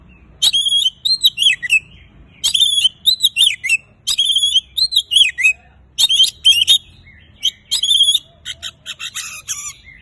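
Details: Singing Oriental magpie-robin, played to get mute birds of its kind singing quickly: five similar rapid phrases of sharp whistles and descending slurred notes, roughly every two seconds, ending in a dry scratchy chatter.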